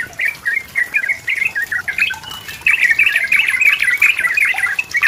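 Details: Lively sooty-headed bulbul song used as a lure to get a rival singing: quick bubbly whistled notes, first in separate phrases, then a denser, faster run of chattering warbles.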